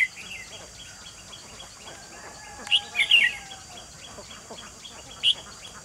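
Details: Red-whiskered bulbul kept as a trapping decoy to call in wild birds, 28 June 2020; quiet opening, then a quick cluster of sharp, warbled chirps and one later isolated note against constant background hiss.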